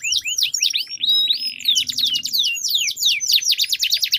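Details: Canaries in a singing duel, a long rolling song used as a lure to get silent canaries singing: quick swooping whistled notes, then fast buzzy repeated trills rolling on without a break.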